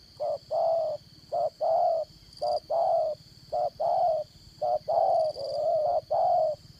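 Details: Decoy spotted dove for trapping, singing in the Đồng Son voice style: repeated low coo pairs, a brief note and a fuller longer note, running almost without pause. A steady insect drone fills the background.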